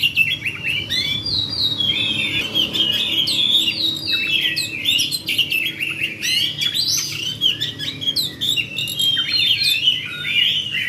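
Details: In fighting mode, an oriental magpie-robin delivers a long, unbroken rolling song of fast varied whistles, trills and scratchy clicks, energetic and steady for the whole stretch, with a soft low hum beneath.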